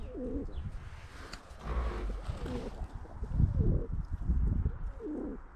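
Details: A flock of pigeons eating bread near a school on a frosty winter morning gives soft, low, throaty coos, each under a second, several in a few seconds, over a dull outdoor rumble.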